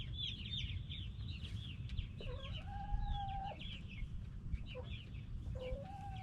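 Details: Backyard hens and roosters call together: a chorus of quick high peeps runs throughout, joined twice by a longer, lower, steady drawn-out tone, over a low rumbling background.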